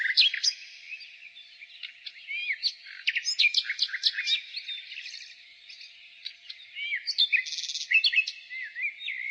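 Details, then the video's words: A nightingale sings in spring, delivering a fast, jumbled stream of clicking notes, upslurred whistles and brief buzzy trills, pausing briefly midway, with constant high chirping from surrounding birds. "Nightingale singing"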